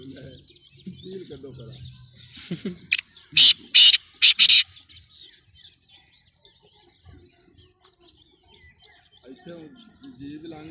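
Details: Black francolin, a full-size, spirited calling bird of good lineage, gives a loud, harsh burst of about five grating, rasping notes packed into under two seconds. Faint thin chirps and soft low murmurs sit before and after it.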